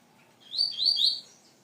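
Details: Young Rusty-collared seedeater, described as a fast 'velocista' and 'fibrado' singer, giving a short burst of high, sweet twittering notes in two quick rising-falling phrases lasting under a second, over a quiet background.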